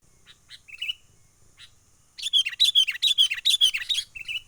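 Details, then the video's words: Wild sooty-headed bulbul trapping lure call in the 'menggaruda' style: a few thin chips and a short whistle, then a dense, rapid burst of loud scratchy chattering notes ending in a brief whistle. "SUARA pikat kutilang gacor asli alam liar"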